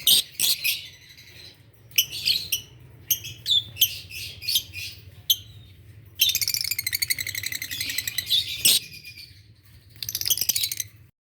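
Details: Adult green Fischer's lovebirds chirping in the morning: separate shrill, raspy squeaks early on, then long, fast, rattling chatters of high pulsed notes.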